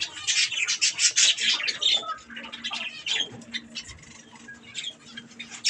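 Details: Budgerigars calling while eating strawberries: a fast run of raspy chirps and squawks at the start, then softer, sparser chatter with a faint low hum in the background.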